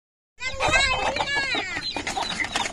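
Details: Turkey calling in a dense, overlapping chorus of harmonic squawks and clucks that start abruptly and continue steadily, with several birds seemingly calling at once.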